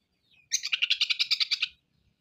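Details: Kacer, the oriental magpie-robin, singing vigorously with rough 'materi kasar' phrases from its 'isian' repertoire: a quick run of about twelve evenly spaced, sharp, scratchy chirps lasting just over a second, with no other sounds.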